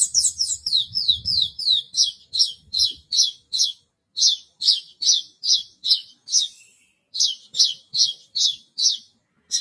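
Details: Horsfield's bush lark kept in a cage and singing vigorously: a brisk series of sharp, high, down-slurred notes repeated about two or three per second, with short pauses, and a faint low rustle early on.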